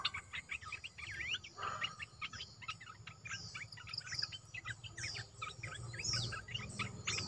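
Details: A caged olive-winged bulbul, new to its keeper, pours out lively song: rapid clipped chirps and short warbled twists, steady and busy for seven seconds, with faint high sweeping notes and a low background hum.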